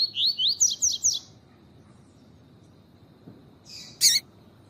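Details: Female double-collared seedeater call, played to excite males into song for training: a quick series of about six rising whistled notes over roughly a second, then a pause and a sharp broadband click.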